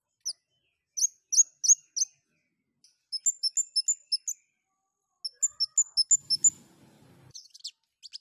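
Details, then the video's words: Long-tailed shrike in breeding condition singing: short high chirped notes in quick bursts of four to seven, paired upper and lower tones, with faint low rumbling near the end. "KEMADE GACOR NGLEPER OVER BIRAHI"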